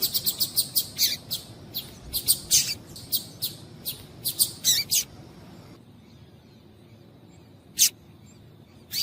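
Female Double-collared Seedeater giving sharp, very high chips, about two a second for five seconds, then a pause and one last chip.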